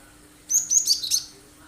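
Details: Cinereous tit singing actively with sharp 'shot' notes, used as a lure so other birds sing along and copy it; four high, sharp whistled notes in quick succession, evenly spaced, then quiet.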